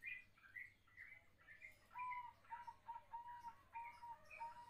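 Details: Young katuranggan zebra dove with a sweet voice: from midway, a series of steady, pure cooing notes, each brief and even, repeated about every half second, over busy higher chirping from other small birds heard throughout.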